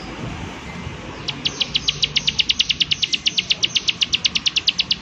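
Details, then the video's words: Prinia with its 'klik klik' call: after a quiet opening, a long, even series of crisp, high clicks repeated several times a second over background hiss. "Prenjak Klik Klik"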